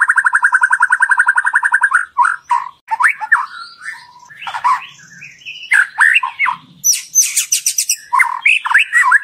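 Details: Murai batu (white-rumped shama) lure song, played to coax a shama into loud, full singing. It opens with a quick, even trill, then breaks into jumbled chattering, squawky and whistled phrases.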